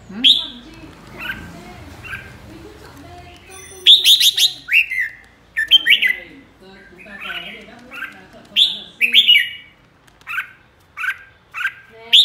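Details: Red-whiskered bulbul, a flock leader, sings in the 'ché' style: bright chirped and whistled notes, some in quick clusters, others single, with short pauses between bursts over a faint low background hum.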